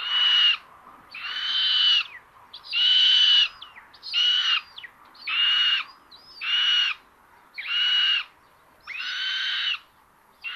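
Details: Nest camera in Tiszalök, Hungary, early morning of May 30, 2022: common buzzard siblings, a sister taking prey from her brother, give a steady run of about eight grating, noisy screeches, each roughly half a second, spaced about a second apart.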